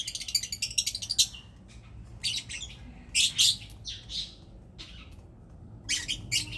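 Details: Lovebird calling during mating. Harsh, high-pitched squawks and chirps come in quick bursts, first as a fast rattling string, then as separate loud squawks with short silent gaps between them.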